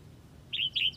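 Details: Red-whiskered bulbul from Huế calling to its flock: two short, bright whistled phrases in quick succession, each a sliding slurred note, against a quiet low hum.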